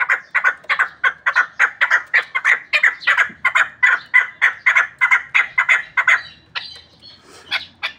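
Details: Pamir chukar partridge used for hunting delivering a very even series of loud chuck-chuck notes, about three per second for six seconds, then a few scattered softer calls.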